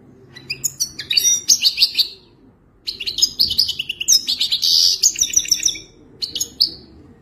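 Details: Wadani-style singing from a wild-type Moroccan European goldfinch: lively, chattering phrases with tinkling notes and a buzzy, rattling trill, delivered in two long bursts and a short final phrase.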